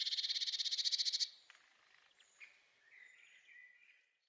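A Blue Tit sings a loud, rapid high trill of about sixteen buzzy notes in just over a second, followed by faint scattered chirps from other small birds.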